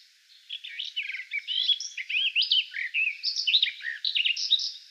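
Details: Garden Warbler, a bird of forest edges in Russia, singing: a sustained, rapid, melodious warble of varied whistled and chattering phrases, flowing almost unbroken for over four seconds with no other sounds audible.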